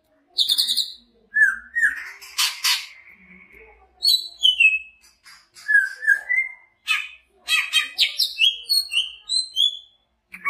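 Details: A large-bodied greater green leafbird (Chloropsis sonnerati) from Banyuwangi sings a fast, varied stream of clear whistles, slurred notes and harsh chips, jumping between high and mid pitches with brief pauses.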